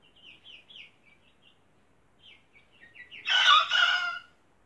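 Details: Young cockerel making its first attempts at crowing: faint, squeaky, rising chirps, then a single hoarse, strained crow lasting about a second near the end.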